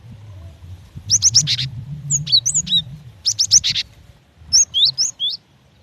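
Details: Cinereous tit female calling the male: fast, high, clipped chirps in tight triplets alternating with looser groups of slurred whistle notes, four bursts in all, with a low hum underneath.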